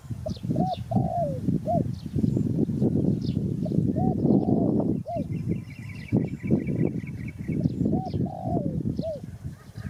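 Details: Spotted dove giving soft, low cooing phrases of short arched notes and a longer drawn, falling coo, repeated through the clip over a steady rumbling, clattering background noise.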